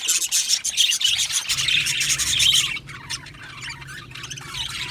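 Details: Happy budgerigars in an aviary colony chatter in loud, overlapping high chirps for nearly three seconds, then the flock noise drops to softer scattered tweets.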